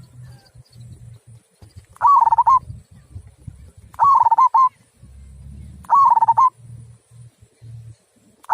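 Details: Local zebra dove singing in the prized 'kung' style with a big, clear voice: three short cooing phrases, each with a quick warbling rise and fall, spaced about two seconds apart over a low rumbling background.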